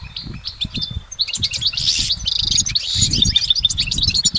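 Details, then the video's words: Goldfinch song in nature: tumbling high twitters, a drawn-out buzzy note, and crisp repeated chirps in quick succession, continuous and full. "Exceptional recordings of the goldfinch in nature"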